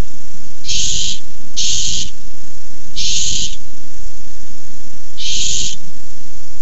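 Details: Nest-cam barn owls in a food fight over a tiny mouse, 6-4-15: four rasping hiss-screeches, the first two close together, then two more at wider gaps, with faint low thumps beneath.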